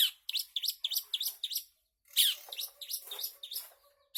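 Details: Long-tailed shrike singing energetically: a quick series of sharp, chirping, up-and-down notes, a pause, then more varied scratchy and whistled notes.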